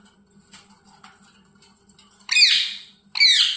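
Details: A talking parrot gives two loud, harsh, broadband squawking chirps. The first lasts about half a second, and a shorter one follows a second later. Faint rustles and soft taps come before them.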